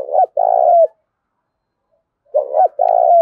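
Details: Loud spotted dove decoy in Thổ Đồng song style: a rolling coo phrase, over a second of silence, then another phrase of a wobbling double note and a long throaty coo.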